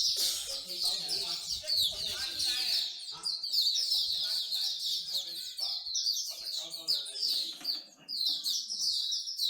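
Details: Songbirds at a Singapore bird singing corner, a favourite pastime of bird lovers, fill the air with continuous, overlapping whistled and chirped song; low human voices and occasional clucking-like notes sound underneath.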